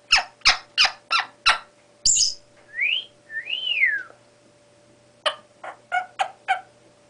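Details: Five-month-old female Congo African grey parrot, a young pet trying out sounds and whistles: a run of sharp clicks, a rising whistle and a smooth arched whistle, then a burst of quick clicks and chirps.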